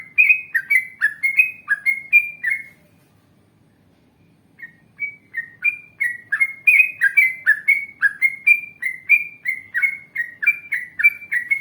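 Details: Yellow-vented bulbul training lure, long wild-style song with long runs meant to make other bulbuls reply: bursts of quick, liquid whistled phrases, a pause of nearly two seconds, then a longer busier run of bubbly notes.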